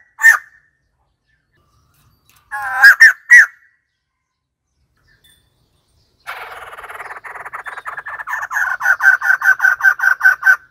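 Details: Several sharp harsh calls of a white-crested laughingthrush, then a long, rapid rattle that speeds into a rhythmic series of loud, ringing cackles.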